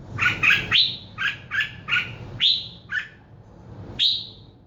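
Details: Short phrases of sharp chirps from a bird, each group ending in a clear upward-swept whistle, separated by brief pauses, with a soft low hum behind.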